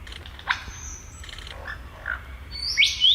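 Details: Male superb lyrebird (Menura novaehollandiae) in courtship song, mimicking a camera shutter with sharp mechanical clicks, then giving a few bright, high chirps near the end.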